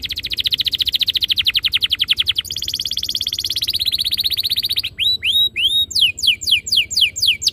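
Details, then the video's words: Canary master song to make canaries sing rolling phrases; two long fast trills, the second higher and smoother, then slower sharply sweeping whistled notes in short bursts. "Suara mastetan burung kenari _ PANCINGAN AMPUH KENARI BIKIN CEPAT BUNYI NGEROL GACOR"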